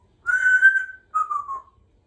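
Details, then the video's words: Indoors, a female Congo African grey parrot kept as a pet gives a clear whistle: one long steady pure note, then a shorter note gliding slightly downward, in a silent room. "Symon is very chatty today, I hope you enjoy the few minutes while she practices"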